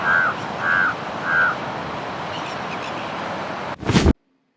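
A crow gives three harsh, evenly spaced caws about 0.6 seconds apart over a steady background hiss, then a brief burst of noise ends the sound.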